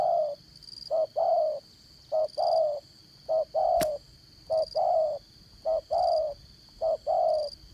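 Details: Spotted dove decoy for trapping, in 'dán cổ' style with a 'đồng son' voice. It repeats steady paired coos, short then long, roughly every 1.2 seconds. One loud click is heard, and high insect droning continues throughout.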